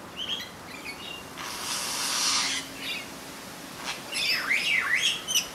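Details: Satin bowerbird singing in Merewether Heights, NSW, Australia: a few short chirps, then a harsh buzzy rasping burst lasting about a second, followed near the end by swooping whistled notes that dip down and rise again.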